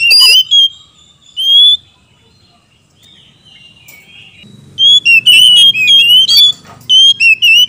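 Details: Oriental magpie-robin, male and female answering each other, kept as cage birds: loud clear whistled phrases near the start, a long quiet gap, then a run of rapid whistled notes with upward sweeps and warbles, over a faint low hum.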